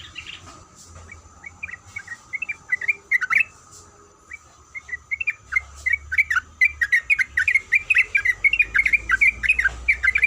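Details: Female sooty-headed bulbul calling to the male: scattered short whistled notes at first, building into dense, fast, bubbling chatter of looping rising-falling notes over the last half; a low hum and faint clicks in the background.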